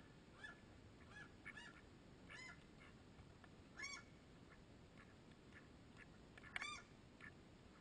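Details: Mallard ducks calling, a scatter of short harsh nasal notes at irregular intervals with a louder burst near the end, over a steady hiss of background noise.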